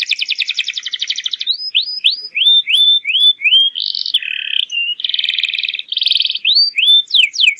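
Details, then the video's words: Canary lure song for teaching young birds to sing: a fast rolling trill, a series of rising whistled slurs, then buzzy rattling phrases and more quick sweeps. "PANCINGAN BURUNG KENARI GACOR UNTUK PAUD AGAR CEPAT NYAUT"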